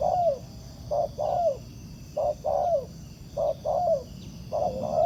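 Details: Wild spotted dove responding to a decoy during ground trapping, giving a steady series of low two-part coos, a short note followed by a longer falling one, repeated about every second, over insect hum.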